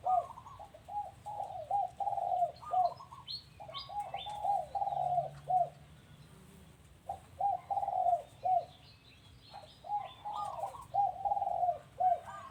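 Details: Dove calling at a home, giving long cooing phrases of short, rolling, bubbling notes with a small rise, repeated with brief pauses across the recording, four phrases in all.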